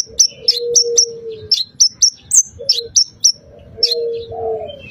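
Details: Bar-winged prinia singing, played to encourage a bird to sing: crisp, very high chirps, each sharply dropping in pitch, delivered in rapid clusters with short pauses. Low, drawn-out cooing from another bird runs underneath.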